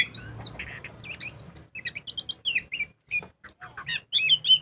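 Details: Kacer, or magpie-robin, singing vigorously in ngobra style as a song lure: harsh rasping opening, stuttered high notes, quick repeated chips, then swooping clear whistles rising toward the end.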